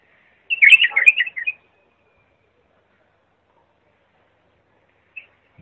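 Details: Bulbul clear song for young bulbuls to copy: one rich warbled phrase of fast tumbling whistles lasting about a second, followed by near silence and a single faint note.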